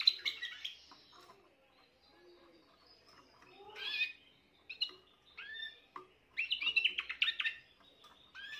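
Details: Spanish Timbrado canary, a young bird of this year at the start of its singing, 14 June 2023: scratchy high trilled phrases, falling whistled notes and bursts of rapid chirps, interrupted by quiet gaps and soft low sounds.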